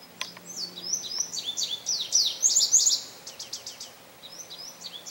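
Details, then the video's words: Male Indigo Bunting singing at St. Johns Conservation on May 25, 2022: a bright, high phrase of paired sweeping notes, rising and falling, ending in buzzy slurred couplets, with a short second phrase starting near the end. "Indigo Bunting Song"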